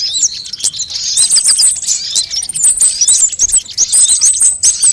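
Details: Sunbird calls from a mixed-species lure track used to lure birds and coax them into calling: an unbroken jumble of very high, fast chirps and sharp ticks, tumbling together with no real pauses.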